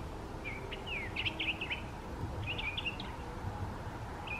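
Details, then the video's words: Mockingbird singing in a park: a run of short, varied whistled and slurred phrases, some rising, some falling, grouped in bursts with brief gaps, over a steady low rumble of background noise. "Mockingbird Sings a Song"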